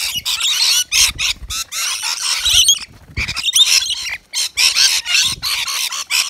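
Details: Rainbow lorikeets gathered at a balcony feeder of wet nectar mix; loud, harsh screeching chatter in clustered bursts, with a short lull midway and a few sharp whistled squeaks.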